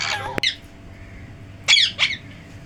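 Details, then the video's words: Pet talking parrot indoors giving short harsh squawks: one rough burst at the start, then after a pause two loud grating calls in quick succession, with a steady low hum in the room. "Talking parrot"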